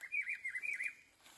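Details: In Brazil's Atlantic Forest, a rufous-browed peppershrike gives one rich, warbled whistled phrase lasting about a second, wavering up and down at a mid-high pitch, then fading into quiet forest background.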